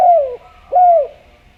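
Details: Spotted dove from Java, loud and clear, used as a lure to make doves call: two mellow coos, each gliding downward, about half a second apart, over a quiet steady hum.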